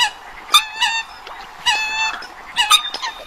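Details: Eurasian coots heard in a recording from abroad: three loud, rich, honking calls spaced about a second apart, with softer calls and a faint background hiss between them.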